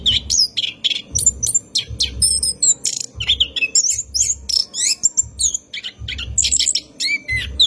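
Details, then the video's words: Orange-headed thrush singing a long rolling lure song at night for training caged birds. Dense strings of high chirps, whistles and slurred notes run continuously, with thudding low pulses throughout. "PANCINGAN ANIS KEMBANG GACOR MALAM HARI | NGEROL PANJANG COCOK UNTUK PANCINGAN ANIS DIJAMIN BUNYI"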